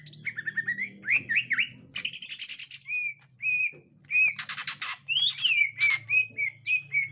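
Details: Green leafbird, a captive 'gotri' bird meeting a young wild one, gives varied zigzag whistles and sharp buzzy bursts separated by short pauses, ending in a series of clear downslurred whistles.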